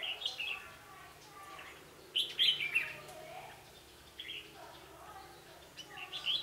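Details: Red-whiskered bulbul decoy singing during bird trapping on 11 November 2016: quick chirpy warbling phrases repeated every second or two, some louder and rising, over a low background of faint voices.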